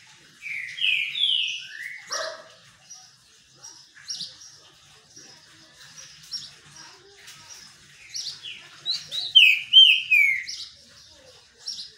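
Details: Green-winged saltator (Saltator similis) singing during a sunbath: bright, slurred whistles falling in pitch, in quick phrases that open and close the passage, with softer chips and twitters between them.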